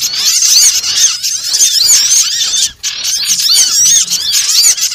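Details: Lure sound of small birds used for trapping: nonstop overlapping high squeaks and thin whistled notes, briefly thinning out near three seconds before resuming.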